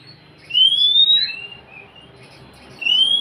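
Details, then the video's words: Oriental magpie-robin song intended to make a quiet bird sing: a long clear rising whistle with a soft trailing note, then a second whistle starting. "Siulan KACER untuk kacermu yang malas bunyi"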